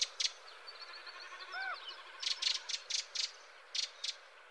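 A Redwing gives a few thin, arched whistled notes and a soft twitter, followed by a run of dry, scratchy rattling bursts about every quarter second.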